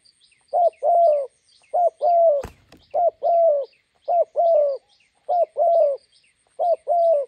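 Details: By a roadside in Gia Lai, Vietnam, a spotted dove decoy meets a wild bird, repeating two-part coos, a brief note then a drawn-out one, roughly every second. One sharp click interrupts, and faint small-bird chirps continue behind.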